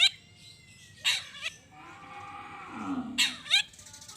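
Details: Long-tailed shrike uttering grating, rasping notes in short pairs, used to provoke rival shrikes into calling back; a steady thin whistle and a low murmuring sound run underneath.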